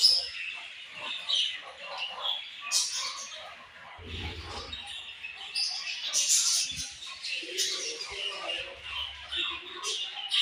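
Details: Budgerigars kept as pets chirping together, a dense overlapping chatter of high warbles and squeaky chirps from several birds, with a brief low thump near the middle.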